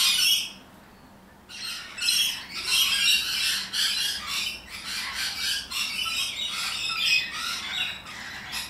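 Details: A single shriek, a second of near silence, then a long chattering run of high, grating squawks from rainbow lorikeets, sociable and noisy parrots of Australia, in quick irregular pulses.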